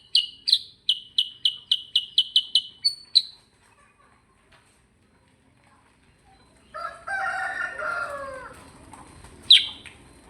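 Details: Sooty-headed bulbul (kutilang sutra) sings ngerol: a rapid string of about ten bright chirps over three seconds, followed by quiet, then lower harsh calls from another bird and one sharp chirp.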